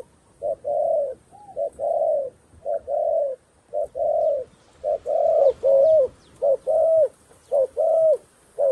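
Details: A dove, apparently a decoy used to call wild doves down to a trap in Cambodia, gives low, hollow coos in short bursts, about one a second, some ending in a slight upward lilt, over faint hiss.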